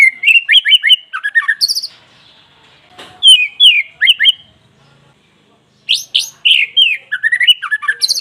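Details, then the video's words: Loud white-rumped shama song used to stir a caged bird into singing: quick whistled phrases and rattling chatter in dense bursts, a brief silent gap mid-clip, then vigorous descending whistles again. "Pancingan murai batu pastol biar cepat bunyi gacor emosi"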